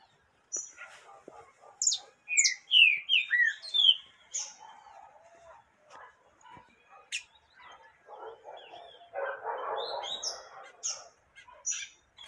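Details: Female yellow-bellied seedeater calling to stimulate a male: bright, sharp chirps sliding downward in a quick cluster, then scattered high notes over a rough, murmuring noise burst.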